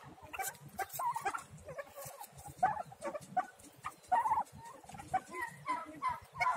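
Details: Young domestic turkeys, several small chicks, calling with repeated short whistled peeps and chirps, some paired notes, growing busier toward the end, with faint rustling throughout.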